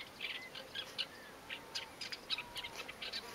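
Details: Masked Shrike (Lanius nubicus) at the Tsiknias river, 1 May 2015, giving short, scratchy, high-pitched chips and chatters, irregular and quick, over a faint hiss with soft thin whistles beneath.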